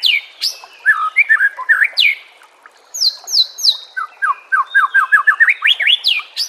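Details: White-rumped shama master song for training caged birds: descending whistles, a pause, then a series of sharp downslurred notes and quick rising whistled notes repeated rapidly toward the end.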